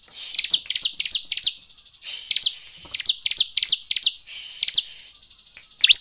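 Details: Lure recording of a Bar-winged prinia meant to make other birds sing: paired high chips dropping sharply in pitch, delivered in uneven clusters about three per second, with short gaps between clusters.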